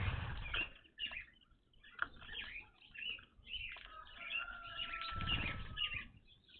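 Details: Evening grosbeaks at a bird feeder, a first sighting at this location after years of watching, give a flurry of short, loud, overlapping, irregular chirps, a longer steady whistled note, wing flutters and low background rumble.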